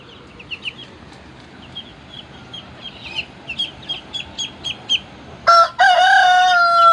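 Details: Shamo fighting rooster starting a loud, harsh, harmonic crow in the last second and a half, cut off at the end, after a run of quick, high, repeated chirps from small birds.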